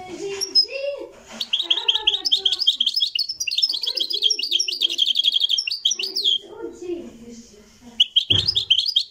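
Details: Marrakchi European goldfinch in a live recording, a long twittering, trilling phrase over faint low murmurs, falling quiet before a final burst of chirps.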